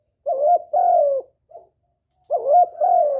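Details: Spotted dove calling to entice a male: two bold, rounded coos, a faint short note, then the same two-coo phrase repeated after a brief silence, low-pitched and resonant.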